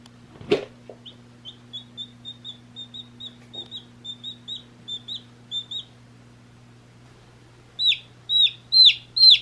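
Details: One-day-old chicks peep in quick, high, down-slurred notes, about two a second, then louder and closer near the end over a low steady hum.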